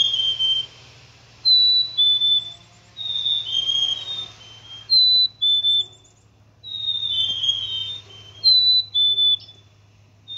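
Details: Black-capped chickadee whistling clear, pure two-note phrases, a higher note sliding to a lower one, repeated several times with short pauses over a steady low hum.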